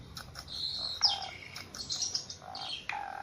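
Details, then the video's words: Javan pied starling, tame and vocal, producing drawn-out whistles that slide downward, with softer buzzy notes and occasional sharp chips between them. "Jalak suren jawa super jinak dan gacor"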